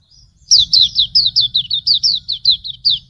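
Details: Hume's white-eye, pleci auriventer, tutor song: one continuous three-second string of evenly spaced, high, sharply falling chirps, about a dozen notes, with low rumble behind.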